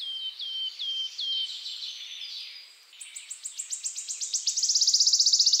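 Wood warbler: a run of high, quickening ticks that speeds into a dry, shivering trill, preceded by several repeated slurred whistled notes.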